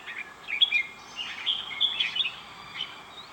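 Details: Red-whiskered bulbul singing: a jumble of bright, warbled phrases at mid-high pitch, short liquid notes strung together over a soft background hiss.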